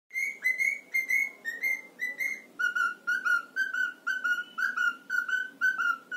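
A cockatiel whistles a string of clear, short notes that step down partway through and repeat steadily.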